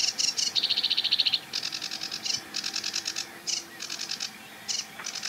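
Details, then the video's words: Sedge Warbler singing and warbling from a treetop by a reedbed: a rapid buzzy trill, then a chain of scratchy, chattering phrases in quick, varied bursts. "SEDGE WARBLER Singing & Calling"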